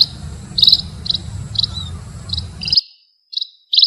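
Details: Munia chirping: short high, slightly buzzy notes repeated about twice a second over a low rumbling hum, which cuts out near the end, leaving a few clean chirps.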